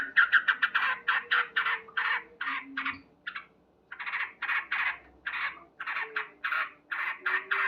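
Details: Male sooty-headed bulbul singing loudly in the morning: fast bubbling series of harsh chattering notes in rhythmic pulses, a brief pause, then continuing, with a faint low hum beneath.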